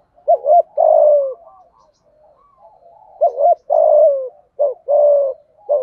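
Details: Spotted dove, hạp bổi voice, thúc gù and gáy gọi cooing: two short hooked coos run into a long, drawn, falling coo. The phrase repeats roughly every three seconds with soft murmuring between.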